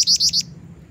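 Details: Lively calls of a female black-winged flycatcher-shrike, used as a lure for males: four rapid, high, slightly rising notes in under half a second, then quiet with a low hum beneath.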